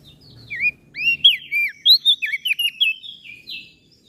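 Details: Song of common iora and bar-winged prinia, Lombok, used for training cage birds: a quick flurry of high, curling whistled notes ending in a short buzzy trill.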